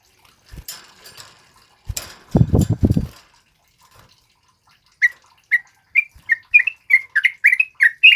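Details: Sooty-headed bulbul male in continuous song for luring and tutoring other birds: loud thumping and handling noises fill the first seconds, then a run of quick bright chirped notes, several per second, closes the recording.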